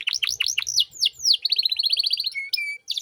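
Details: Canary singing a luxurious 'cengkok mewah' master phrase for training young birds: a few swooping downslurred notes, a quick chattering trill, two flat whistles, then a high rapid trill.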